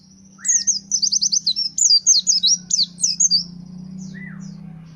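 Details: Caged white-eye, a 'gacor' pleci fighter bird, singing: a rapid run of high, warbling, twittering notes for about three seconds, followed by a short descending chirp and quieter high notes, over a low steady hum.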